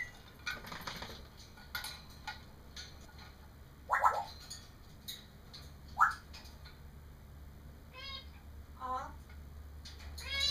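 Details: Pet parrot babbling indoors while another parrot plays in its cage: scattered harsh, speech-like bursts with rising and wavering squeaky whistles near the end, over a steady low household hum.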